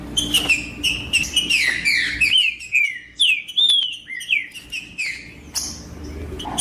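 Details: Green-winged saltator performing 'macheando' song to warm up another bird: dense burst of clear whistled, slurred phrases, some sweeping downward, followed by several spaced, looping whistles and a final high chirp.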